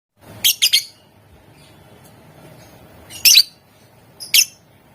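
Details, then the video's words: Lovebird calling to provoke rivals into answering: harsh, high, rasping double and triple bursts, spaced by about three-second gaps, in a quiet room. "Suara Lovebird Gacor Memancing Emosi Lawan, Bikin Lawan Langsung Nyaut"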